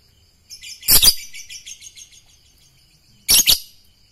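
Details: Lovebird being trained for song contests: a rapid, buzzy chattering trill with two loud harsh bursts, one near the start and one near the end, in an otherwise quiet setting.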